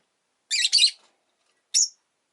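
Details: Rosy-faced lovebirds, a pair at the entrance, produce a rough doubled chirp followed by a single sharper high chirp a second later.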